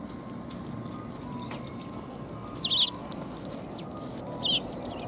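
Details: Sparrows coming to be fed at Tenmangu shrine, 4 January 2021: two loud, sharp high chirps about two seconds apart over steady low background rumble.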